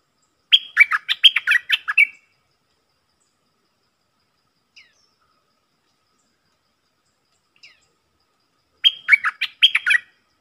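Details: A stripe-throated bulbul sings two quick, bubbly, warbling phrases several seconds apart, with faint single chips in the quiet between.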